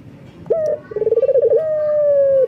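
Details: Male local collared dove in full breeding condition, calling females: a brief bright note, a stuttering rolled trill of about ten pulses, then a long flat coo ending in a slight fall.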